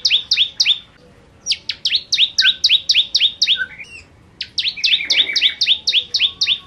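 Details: Energetic bar-winged prinia song, the 'gacor nembak nembak' style: bursts of sharp, falling chirp pairs at a fast steady beat, separated by brief gaps, with a few lower notes mixed in.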